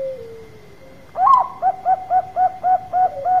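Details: Zebra dove, Bangkok type, in lure song: a faint fading purr gives way to a loud run of about eight short, regularly spaced hooting coos at a brisk even pace; low background hum.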